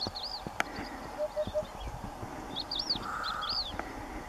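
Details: A Eurasian hoopoe sings from the wall of a ruined house on a sunny day: a soft, low, hollow triple hoot, 'oop-oop-oop', evenly spaced, while other birds add high, looping whistles around it.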